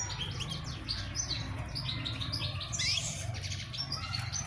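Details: European goldfinch (Carduelis carduelis), call.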